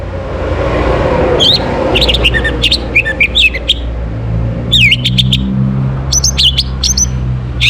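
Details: Orange-headed thrush singing in the morning to stimulate breeding condition: a loose series of varied chirps, sweeping whistles and short trills, louder toward the end, with a steady low hum beneath.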